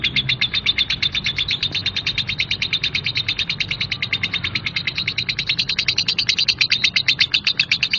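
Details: A lovebird chatters nonstop in a coarse 'ngekek' style, a fast, even train of rasping notes lasting the whole eight seconds with no breaks.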